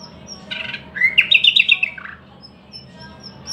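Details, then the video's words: One brief phrase from a thrush nightingale: a buzzy opening note, then a quick string of bright repeated chirps dropping into a lower note, followed by quiet with faint high whistles. "luscinia luscinia"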